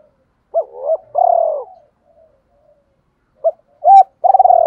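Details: Double-voice cooing from a captive decoy spotted dove used to attract wild doves: a double coo and a long vibrating trill, a pause, then a short note, a coo and another purring trill.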